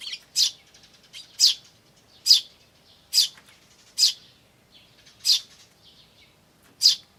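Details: Eurasian tree sparrows with their chicks, 10 May 2013, ivis recording; adults call 'chun' and 'jyujyu', chicks 'chi chi'. Steady bright chirps roughly once a second, eight in a row, faint twitters between.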